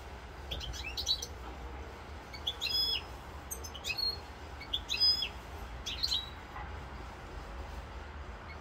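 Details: Corsican European goldfinch song from 7 November 2022, heard as short clusters of high, metallic twitters and ringing notes, spaced a second or so apart, with the last few seconds quiet apart from low background noise.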